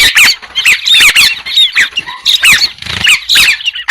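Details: Loud, harsh squawking from white-crested laughingthrush in uneven bursts, each mixing grating noise with short falling whistled notes, separated by brief pauses.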